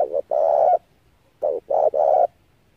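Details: Spotted dove cooing as a trapping lure: a brief double note then a long sustained coo, repeated twice in quick succession.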